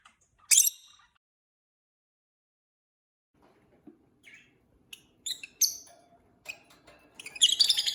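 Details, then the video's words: Newly acquired pair of pet peach-faced lovebirds: a loud, sharp high chirp at the start, then quiet, followed by a run of scattered short high chirps and squeaks with faint low rustling below. "Peach-faced Lovebird Singing & Chirping Sounds"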